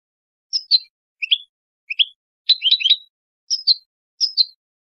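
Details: European goldfinch singing in the clean "limpio" style, from a 2022/2023 song recording: high, quick chirped notes in pairs and short bursts, repeated roughly every 0.7 seconds, with one denser twittering cluster midway; otherwise silent background.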